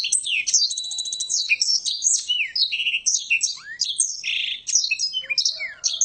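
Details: A privately kept blackthroat performs "nggaruda" and rolling "ngeroll" singing: a rapid, unbroken stream of high trills, rattling rolls and descending whistled slurs that mix sweet and buzzy notes.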